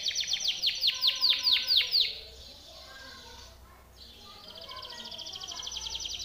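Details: Timbrado canary singing a training song: loud downswept notes repeated rapidly for two seconds, a quiet pause, then a soft fast trill building in volume.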